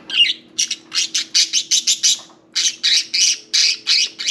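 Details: Budgerigar, a pet budgie parakeet at its bath, calling loudly with a fast series of harsh, buzzy squawks, about a dozen strident notes in quick succession with one short gap.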